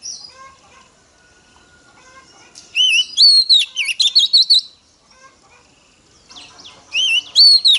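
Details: Female Oriental magpie-robin singing to provoke males: two loud bursts of varied whistles and warbled chirps separated by a quiet pause, with faint softer twittering underneath.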